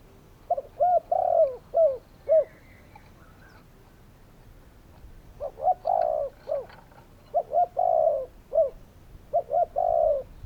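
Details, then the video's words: Repeated cooing from a spotted dove: several phrases of short hollow coos around a longer drawn note, given in a steady series with brief pauses, faint chirps in the background. "Spotted doves calling!"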